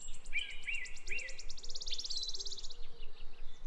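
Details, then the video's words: Bird song with a fast, high ticking trill running steadily across most of the passage, overlaid by short, clear, mid-pitched whistled phrases and softer low notes. "relaxing bird sound"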